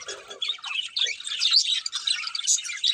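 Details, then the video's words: Pet budgerigars, a pair, chirping indoors: a dense, continuous chatter of scratchy, buzzy warbles and short squawks, broken by a few lower notes near the start. "Cute Budgies Chirping Sounds"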